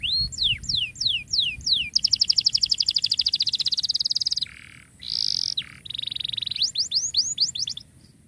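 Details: Lively canary song meant to restart singing in silent canaries: a string of downslurred whistles, a long fast pulsed trill, low and high buzzes, then quick upswept notes.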